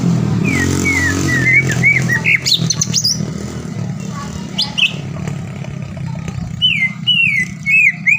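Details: Green leafbird in full, lively song used as a lure to provoke a rival bird into singing: varied whistled and chattering phrases, sliding notes and harsh squawks, over a steady low engine hum with passing vehicle noise.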